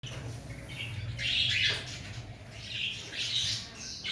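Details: Cockatiels in breeding season giving harsh, noisy squawks in bursts, with loud rasping calls around the second and at three and a half seconds, over a low steady hum.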